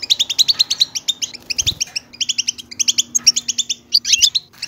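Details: European goldfinch bitbita song meant to coax silent goldfinches into singing. Steady, rapid, bright twitters are delivered in regular bursts, with a faint low hum and a brief thump around 1.7 seconds.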